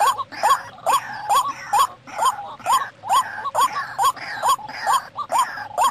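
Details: White-breasted waterhen lure call for wild birds: a steady run of rasping upward-inflected notes, about two each second, with fainter overlapping notes in the background.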